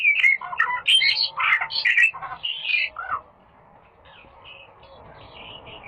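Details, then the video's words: Masteran song of the rare bird called little fellow: a dense, energetic jumble of high twittering and sharp squeaks for about three seconds, then fading into a few faint distant chirps over quiet hiss. "MASTERAN GACOR "little fellow"BURUNG LANGKA"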